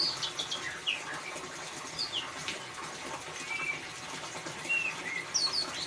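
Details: White-rumped shama in ngeriwik style, used as a lure to prompt a silent bird to sing: scattered whistled notes and quick rising and falling sweeps, some high and thin, over a hissy, busy background.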